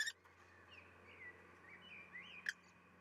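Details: Male common kestrel calling in May as he brings a vole to the nest, where the female leaves the eggs for an opposite roof during the nest exchange. A series of faint, thin, arching whining notes, about five in three seconds, over a steady low hum.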